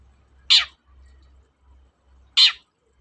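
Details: Long-tailed shrike sound used to stimulate shrikes reluctant to sing: two short harsh, scratchy descending calls about two seconds apart, otherwise near silence with faint low hum.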